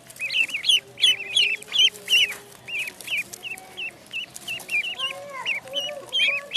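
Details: Duckling in a pond peeping in a brisk, fairly regular series of sharp, high notes that each hook downward, later joined by softer, lower sliding calls.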